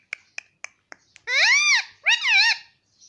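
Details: ['Indian ringneck parrot kept as a pet, repeating "mummy" nonstop. A run of sharp clicks leads into two arched, strongly harmonic syllables, each swelling up and falling away, with a faint whistle at the end.']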